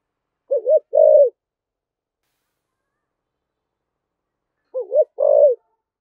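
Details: Spotted dove, thổ voice, thúc gù style, giving two identical phrases about four seconds apart, each a quick wavering double coo followed by a fuller, hoarse, falling coo.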